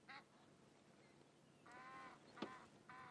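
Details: A pair of Egyptian geese at a muddy waterhole in Sabi Sand, South Africa, at sunrise on 19 August 2016, trade harsh, nasal honks in short bursts, a morning conversation, one answering another, with a sharp click and quiet background.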